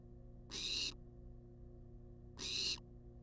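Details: Wild barn owl in a monitored nest box, filmed on a live cam while demanding food: two harsh, hissing screeches about two seconds apart, each under half a second, over a steady low electrical hum.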